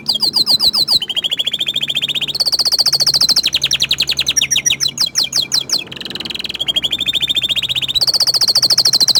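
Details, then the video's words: Orange frost canary singing to show off its voice: continuous sequence of rapid high trills and rolls, each phrase holding a steady pitch for a second or two before switching to a new, faster or slower roll, with faint low hum. "Kenari Oren Frost ini Ingin Menunjukan Kicauan nya yang Mantul"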